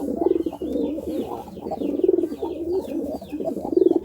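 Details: Courting pigeon giving deep, gurgling coos in swelling phrases roughly every one and a half seconds, while small birds chirp high and thin in the background.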